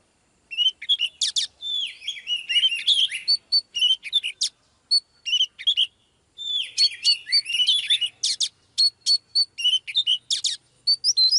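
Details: Female Oriental magpie-robin singing to rouse a male into full song: rich, varied high whistles and sharp chirps, bursts of rapid notes and clear repeated pure tones, with a pause near the middle before the phrases resume.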